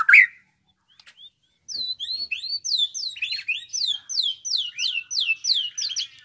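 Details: Young caged white-rumped shama about nine months old in Bandung, Indonesia, trained to mimic lovebird, canary and other birds: after a brief squawk and pause, rapid bright high whistled slurs, rising and falling, repeated in quick chattering runs.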